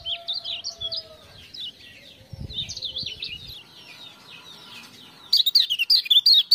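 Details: Lemon-bellied white-eye encouraged to sing by ciak-ciak sounds: a subdued, jumbled high twitter with a thin steady lower whistle early on, ending in a loud, fast burst of sharp chirps.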